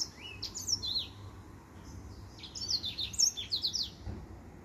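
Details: Finch with white tips, a male singing his song: quick high chirps and downward-sweeping whistled notes in bursts, with a low steady hum beneath.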